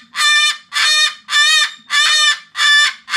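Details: A pet cockatoo, possibly reacting to something seen outside, gives loud, harsh, grating screams, each about half a second long, repeated roughly twice a second with short gaps between.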